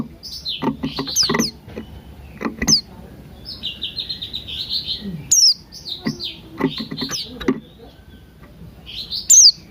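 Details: Morning song of Buxton's white-eye, paired with cucak rante, played to spur birds to sing: rapid high twittering phrases and trills, with a few piercing falling notes and clicky bursts.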